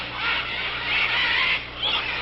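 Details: In the Peruvian Amazon rainforest, macaws descending from the trees give harsh, raspy screeches that overlap into a deafening continuous chorus, swelling twice over about two seconds; their cries signal to the others.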